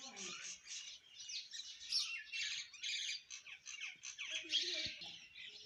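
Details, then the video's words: Several home sparrows eating food chatter nonstop: dense, overlapping high chirps and squeaky notes in quick, uneven bursts with no clear gaps. "eating Sparrow Chirping Sound | Sparrow Birds Eating Food Chirping"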